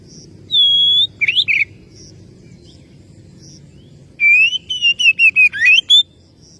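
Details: Oriental magpie-robin calling out to a rival: one long steady high whistle, two short twisted notes, a pause with faint high peeps, then a rapid string of sliding whistles rising and falling.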